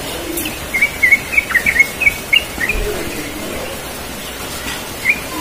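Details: A Yellow-vented bulbul singing relaxed in the morning gives a quick, bubbly run of about a dozen short chirping notes over two seconds, then one lone note, against a steady outdoor hiss.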